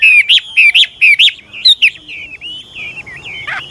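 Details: Chinese hwamei, an old wild bird used to encourage young birds to sing, giving loud looping whistled notes repeated about twice a second, then a softer trailing warble fading out.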